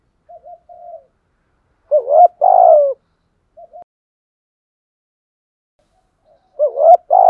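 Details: Cooing of a spotted dove kept as a decoy: faint short notes, then a loud double coo, brief soft notes, and another loud double coo starting near the end.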